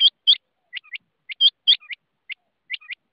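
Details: Rain quail uttering loud hooked metallic double notes, mixed with softer, higher paired chips and faint low notes, in a fast irregular series on a quiet background.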